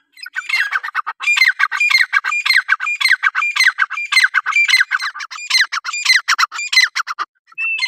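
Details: Francolin giving a continuous run of harsh, squawky, rasping notes, fast and uneven, with thin whistled tones woven through, ending after a short pause with a single whistled note.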